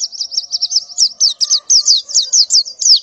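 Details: Morning calling of a female white-eye in breeding condition: steady string of high, bright slurred chirps, each dropping in pitch, with a faint lower tone underneath.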